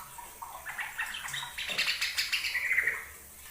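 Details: Trucukan, the yellow-vented bulbul, in an energetic song sample meant for teaching captive birds: a rapid, jumbled series of bright chirps that builds to a quick run of notes and ends on a short whistle.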